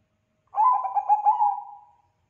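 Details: Singing Bangkok zebra dove whose loud song sets other zebra doves answering: one phrase of quick, rolling coo notes slurring into a steady, fading hum.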